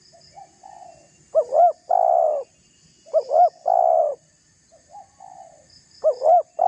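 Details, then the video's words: Lively spotted dove pressing a rival with repeated coo phrases. Each has two short bouncing notes and then a long steady low coo, sounding three times. Quieter coos answer between them, with faint high thin notes in the background. "Suara tekukur GACOR merayu lawan agar terpancing emosi cocok untuk pancingan"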